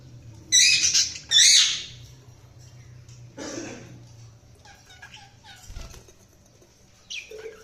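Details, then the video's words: Budgies chirping: two loud, harsh chattering bursts early on, then a lower rasp and a few soft short chirps and squeaks spread through quieter background hum. "Budgies Sounds| Budgies Chirping sound"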